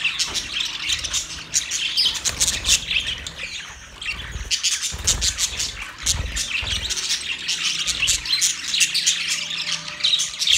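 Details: Mating budgerigars keep up a busy, high chirping warble of clicks, tweets and squawks, with soft low thumps beneath at intervals.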